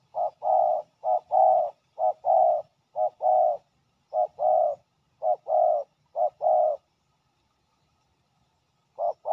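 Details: Male spotted dove holding territory, quick to confront a ground decoy: steady series of low paired coos, each a clipped note followed by a fuller longer one, roughly once a second, then a pause.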